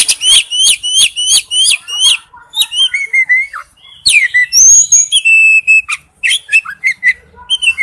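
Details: Male oriental magpie-robin calling to a female: a rhythmic run of about six sharp repeated notes, then varied whistles, slurs and chirps.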